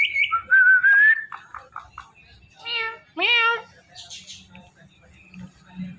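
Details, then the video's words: Pet Indian ringneck parrot imitating speech with meow-like sounds: a wavering whistle, a run of short clicking notes, then two strong harmonic meows and fainter nasal calls. "Talking Indian Ringneck Parrot"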